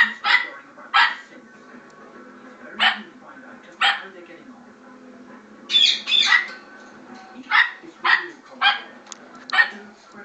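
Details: A male severe macaw (Ara severus), who lived with Pomeranian dogs before, mimics a dog with short, hoarse barks, one after another at uneven intervals.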